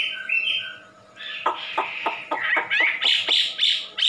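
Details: Indonesian wambi giving soft whistles, then a fast series of sharp, clipped notes speeding into loud ringing whistles, roughly three per second.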